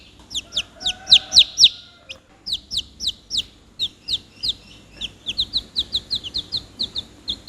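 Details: Chicks peeping: sharp falling chirps in bursts, a short pause, then a steady stream of shorter, quicker peeps, with faint background tones.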